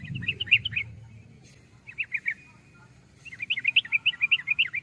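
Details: Yellow-vented bulbul song played for a kept bird: bubbly bursts of quick, high chirped notes in three phrases separated by short pauses, with a low steady hum beneath.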